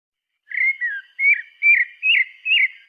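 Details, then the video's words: Pale-breasted thrush song of five pure whistled notes in a row, each a short slurred phrase, some dipping and some rising then falling, evenly spaced on a quiet background. "Sabiá branca"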